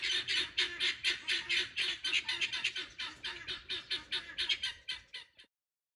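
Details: Pearl guineafowl, kept in a garden where they eat bugs and grow noisy when excited, call in a steady run of harsh, metallic squawks about twice a second, fading and ending abruptly before a short silence.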